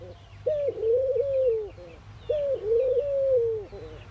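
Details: Indian ring-necked dove cooing in the morning: two drawn-out, low, slightly wavering coo phrases about two seconds apart, each tailing off downward, over soft background twittering of other birds.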